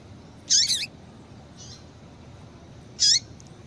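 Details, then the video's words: Two loud, wavering chirps from a female double-collared seedeater, a call used to excite males; each note trills and bends downward, about two and a half seconds apart, with a faint note between. "Piado de Fêmea de Coleiro para Esquentar Coleiro"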